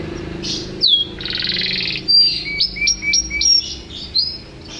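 A canary sings a bright, varied run: a rapid buzzy trill, then repeated high whistled notes dropping in pitch, with a faint low hum behind.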